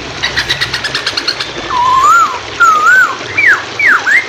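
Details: Hwamei singing on a training recording for songbirds with flowing water behind: a rapid ticking burst, then looping whistles that rise and fall, and two sharp V-shaped slurred notes.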